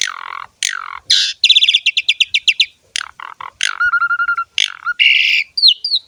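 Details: Jalak suren, or Javan pied starling, singing in the ngerek style: harsh descending rasps, a fast run of bright chattering notes, a level whistle and squeaky rising slurs at the end.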